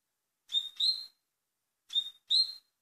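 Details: Double-collared seedeater (Sporophila caerulescens), song.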